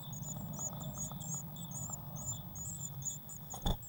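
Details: Eurasian blue tit in a nest box, 19 May 2019, beside a feeder filled with waxworms. Quiet, thin, high notes repeat rapidly over low hum, with one sharp knock near the end.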